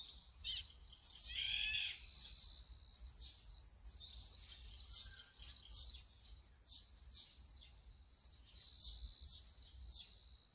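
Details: Brown-eared bulbul letting out a loud, rasping screech near the start, followed by quick, uneven high chirps and short whistled notes throughout, with steady low background noise.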